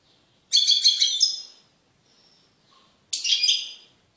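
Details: Male European goldfinch, caged, in powerful song after isolation from its canary mate: two bursts of liquid, tinkling twitters and chirps about two and a half seconds apart with near silence between.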